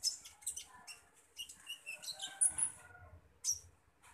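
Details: A common iora being fed gives thin, high, scratchy chirps and brief twittering notes in quick irregular bursts, with soft rustling between them.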